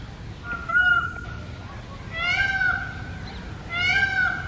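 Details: Wild male Indian peafowl calling from a house roof at early morning: a short clipped cry, then two longer wailing calls about 1.5 seconds apart, softer and over a steady background hiss.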